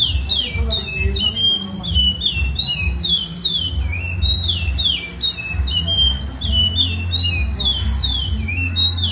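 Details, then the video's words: Traditional Maceió song of a lined seedeater: quick whistled phrases that sweep downward, repeated in a continuous rippling series with brief shifts in pattern, backed by constant low-pitched background hum. "canto Maceió tradicional."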